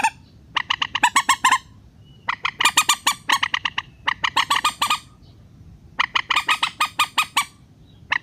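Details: Rail calling on a trapping lure meant to pull birds down to nets: long, rapid strings of grating, buzzy squawks, each run lasting over a second, broken by short gaps over a steady low hum.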